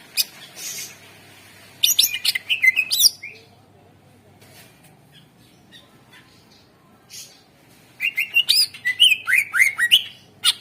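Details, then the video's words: Greater green leafbird lure song for coaxing other birds into song: scattered chatter, then a dense burst of harsh notes, a long pause, and a closing run of rapid down-slurred whistles and squeaky chips. "Suara Pancingan CuCak Ijo / Murai Ijo Gacor Ampuh Bangat Burung Pancing Burung Yang Macet Suara"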